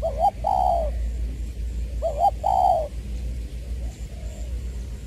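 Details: Spotted dove kept as a decoy, Trà Vinh (Long Đức), Vietnam, 22 February 2021, in the "giọng tiểu" voice. Two loud coo phrases, a clipped two-part note leading into a drawn-out mellow coo, then a faint softer echo amid low hum.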